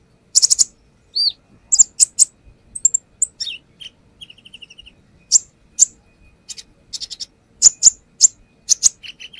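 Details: Brown-throated sunbird (konin) delivering its varied repertoire as a lure: sharp high ticks and chips, a quick sliding note, a soft fast-rattled trill mid-way, then spaced piercing clicks.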